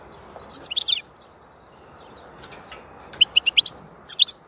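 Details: European goldfinch, called saka in Turkish, singing bright, high twittering phrases: a quick tinkling cluster, a pause, then a run of rapid chirps ending in a buzzy twitter.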